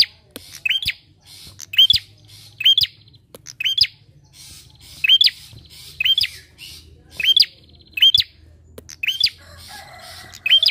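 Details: Bar-winged prinia song used as a lure to get other birds singing: loud, sharp, high rising-and-falling chirps given in quick pairs or bursts, each burst about a second apart, with clicks and a faint low hum between.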